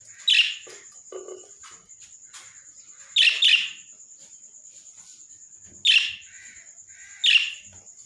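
Lovebird giving shrill, harsh chirps in short bursts, spaced a few seconds apart.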